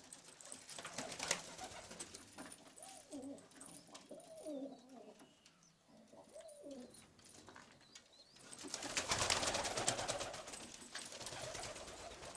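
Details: Istanbul pigeons with pearl or red eyes, heard through a series of low, wavering coos in the middle of the recording, bracketed by broad rustling noise and a loud noisy burst near the end.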